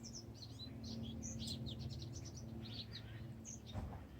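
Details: Lively bird chirping, bright high twitters and short squeaky notes in a rapid run, with a loud low droning hum underneath.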